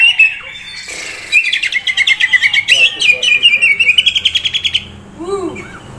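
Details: Kacer, an Oriental magpie-robin, young prospect bird, delivering a rapid rattling series of repeated notes near 2k, then soft lower whistled notes trailing off.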